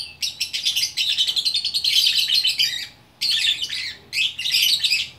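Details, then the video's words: Gacor orkestra song of a lovebird in Bukittinggi, West Sumatra: a long, rapid rattle of high squeaky notes followed by two shorter shrill chattering bursts after a brief pause. "Burung Lovebird Gacor Orkestra"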